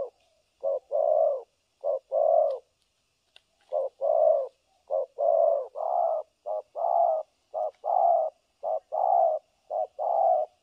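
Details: Decoy spotted dove for trapping, cooing in the 'thổ cấn sấm nước' style, December 2022: steady series of low hollow coos, a brief note followed by a longer drawn-out one, repeated rapidly with one short gap.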